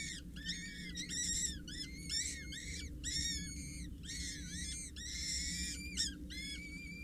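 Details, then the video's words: On 8 May at Scheveningen, a parent Peregrine Falcon feeds four chicks 6-8 days old, which beg with rapid, repeated high squealing whistles, each short and arched, in dense bursts over a low hum. "Watertoren voedering 8 mei 2023"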